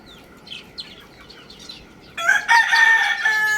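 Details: Rooster crowing: after two seconds of quiet with faint small-bird chirps, a loud, harsh, harmonic crow bursts in and holds for over a second, with a strained, slightly falling ending.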